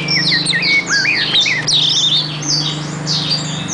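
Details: Continuous rich song of an oriental magpie-robin, packed with whistled slides, looping downslurs and scratchy high notes tumbling one after another without pause, over a constant low electrical-sounding hum.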